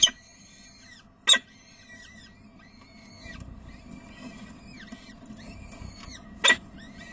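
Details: Peregrine falcons at De Mortel, 30 April 2009, 19:30, giving a steady series of high, strained wailing squeals with rich overtones. Sharp loud knocks come at the start, near 1.3 seconds and at 6.5 seconds.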